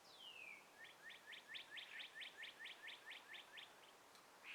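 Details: Birdsong at sunrise in breezy trees, opening with a long whistle sliding downward, then a fast run of about fourteen sharp chirps, roughly four each second.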